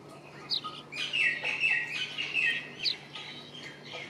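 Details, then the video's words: Brown rock chat, or Indian chat, calling: a run of quick, scratchy chirps near the middle, with brief higher squeaky notes before and after, over a steady low hum. "Brown rock chat Bird - Indian chat Bird"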